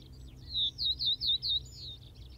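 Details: Common Reed Bunting recorded at Wakka Primeval Flower Garden in Hokkaido, Japan, giving a short phrase of five high, downslurred chirping notes in even rhythm, fading into faint twitters, over a quiet low background hum.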